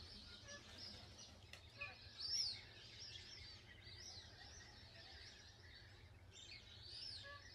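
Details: Plumed whistling ducks at Lake Galletly in Gatton, South-East Queensland, recorded on 21 June 2024 with a Canon R7: thin, high whistled notes, a loud one near the middle and another near the end, over a steady low rumble.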